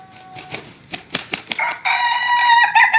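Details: A rooster gives a few short, clipped clucks, then breaks into a long, strained crow held steady and harsh for more than a second.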